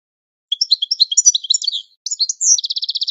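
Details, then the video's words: Goldfinch training song: a phrase of varied liquid chirps and twitters, a high sliding whistle, then a fast even rattling trill of repeated notes to the end. "12h Goldfinch The Best Singing - training song"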